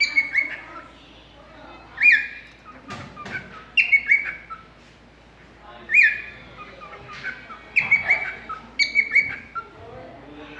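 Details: Pet cockatiel in conversation with its owner, giving short, sharp whistled chirps roughly every one to two seconds, mixed with softer warbling notes and faint background clicks.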